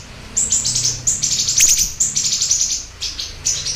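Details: Siri-siri bird in full song: bursts of high, thin, ringing chirps in short clusters with brief pauses between them, and a dense sparkling run midway. Quiet low rumble in the background.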